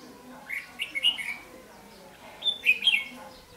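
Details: Caged Red-whiskered bulbul decoy singing to lure and fight wild males, 8 July 2016; two quick, bright, bubbling phrases of slurred whistles about two seconds apart, with a faint background hum.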